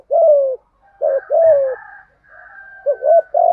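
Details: Trained spotted dove giving a cooing routine meant to provoke wild doves into calling back. Soft, low coos: a long sliding note, then a short note and another falling coo, ending in quick paired coos.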